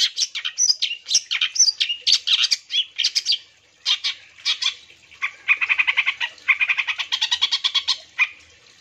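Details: Long-tailed shrike in full song, offered as a lure so other shrikes respond. Quick varied chips and whistles turn into a long, harsh, buzzy stutter of rapidly repeated notes after a short pause, with no background noise.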